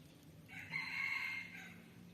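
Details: Rooster crow heard faintly, as a drawn-out, thin, steady tone lasting about a second that swells and fades, with low background rumble.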